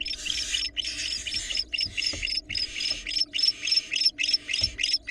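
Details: Barn owls at a Florida nest camera, a female bringing a rat to one of her young and then interacting with the male. Harsh, hissing screeches, each lasting about half a second to a second, come in a rough, uneven run with brief gaps.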